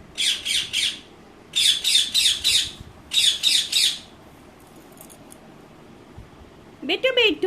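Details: Indian ringneck parakeet kept as a household pet, screeching in short harsh bursts of three to five rapid squawks separated by pauses, ending with a rising tonal call; quiet room background.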